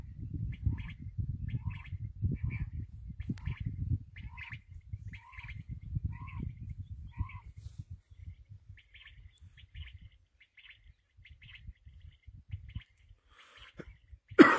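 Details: Black francolin, kala teetar: a run of short, grating, rhythmic notes repeated about twice a second for several seconds, then fainter scattered notes, over low rumbling background noise and a loud bump at the end.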